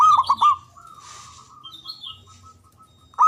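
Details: Zebra dove from Java, loud and long-breathed, used as a lure for silent doves. Rapid rolling low coos open, then a long level cooing tone with faint pulses, and another rolling burst at the end.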